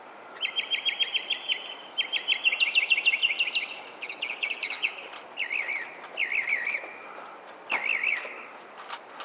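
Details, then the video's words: Back-yard bird in San Francisco at sunset on 31 July 2014: a varied string of phrases, clear repeated chip notes in quick runs, then wavering zigzag whistles and a few sharp high notes, phrases changing every second or two. "Bird making crazy noises"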